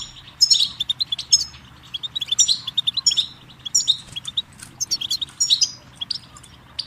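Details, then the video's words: Tinkling goldfinch song of high, rapid chips and buzzy twitters in repeated short phrases, with a faint low hum underneath. "Birdsong Motivation Let Goldfinches Inspire Your Success"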